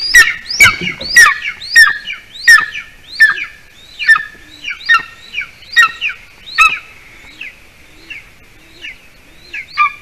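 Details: At a Latvian golden eagle nest at dusk, when the adult male brings a bird for the chick's late supper, a rapid series of sharp, high, downward-slurred yelps comes in bursts, then tapers to softer, spaced notes.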